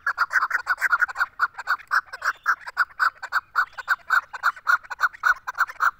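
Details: Chukar partridge, female, giving a continuous rhythmic chuk-chuk call: loud clucking notes repeated about three to four per second, steady throughout the six seconds.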